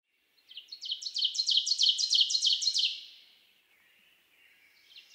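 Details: Ovenbird song recorded in Nicolet National Forest, Wisconsin: a ringing run of about ten quick two-part 'teacher' phrases, swelling louder to the end, then a faint chirp from another bird.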